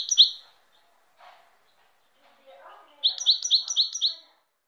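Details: European goldfinch song: one sharp high note, a pause with quiet muffled voices, then a quick series of five bright, clipped high notes in even rhythm.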